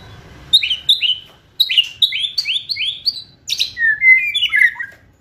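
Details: Lively, fierce White-rumped shama song used to provoke and speed up singing: a rapid series of sharp down-slurred whistled notes in quick groups, then a sweeping rising whistle and chattering twitters, on a quiet background.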